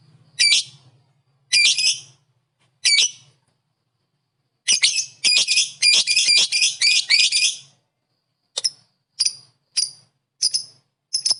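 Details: Lovebird ngekek meant to provoke other lovebirds: three harsh squawking bursts, then about three seconds of fast chattering, followed by spaced sharp single chirps.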